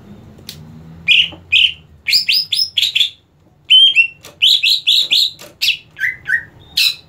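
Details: Greater green leafbird ready for competition sings loud bursts of quick whistled notes in rapid triplets and runs, bright and ringing, with a brief pause midway and lower slurred notes near the end.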